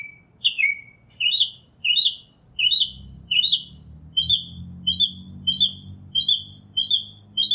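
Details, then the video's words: Northern mockingbird giving one downslurred note, then a rapid string of short, bright chirps repeated roughly every 0.6 seconds, over a low background hum. "Northern Mockingbird Song, Sound, Voice, Call, Melody - Sinsonte Canto - Mimus Polyglottos"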